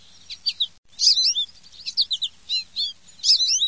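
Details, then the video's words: A sparrow gives quick bursts of bright, high chirps in short clusters, several per second, with brief pauses between them. "SPARROW SOUNDS"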